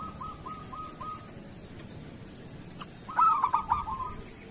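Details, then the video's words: Local zebra dove in the kerot style, kept as a master recording for teaching doves to sing. A quiet beaded trill of short repeated notes, a pause, then a loud burst of stuttering coos easing into a trill. "Suara perkutut lokal masteran perkutut kerot"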